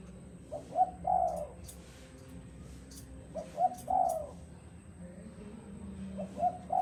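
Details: Repeated cooing phrases of a spotted dove, about three in seven seconds, each a couple of short soft notes leading into a longer hollow coo; faint clicks and low hum behind.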